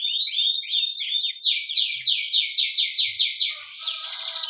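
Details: Spanish Timbrado canary song used for training: a fast run of bright, metallic trilled notes sliding downward, repeated about twice a second, then a shift to a softer rattling roll at the end.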